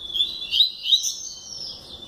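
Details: Brief burst of double-collared seedeater song, a few quick upswept whistled notes fading into a thin drawn-out trill.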